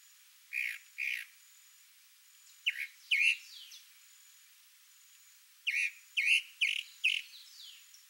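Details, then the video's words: Chalk-browed mockingbird male performing for a female: two falling notes, a pause, then bursts of three to five quick buzzy whistled notes, with a faint steady high hum in the background. "CHALK-BROWED MOCKINGBIRD male sings showing off to female (MIMUS SATURNINUS), SABIÁ-DO-CAMPO."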